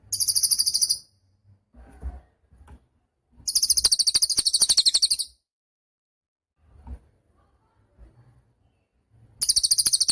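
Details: Cililin singing in a recording for training cage songbirds: three high, rapid, buzzy trills of evenly pulsed notes, each one to two seconds long, separated by quiet gaps with soft clicks.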